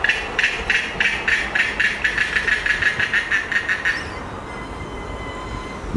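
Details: An Australasian darter at its regular wing-drying spot gives an unusual dry, clicking rattle of about three harsh pulses a second for four seconds, then stops; faint background hiss.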